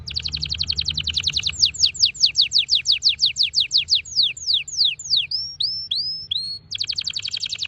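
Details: Red factor canary, a vivid orange-red pet bird, singing fast: rapid buzzy trill, then a long series of steeply falling whistled notes slowing down, a few upswept notes, and another quick trill.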